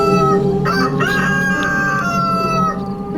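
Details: Domestic rooster crowing at night: one long, drawn-out, harmonically rich crow of about three seconds, fairly steady in pitch, with faint background music; night crowing is locally linked to mystical omens.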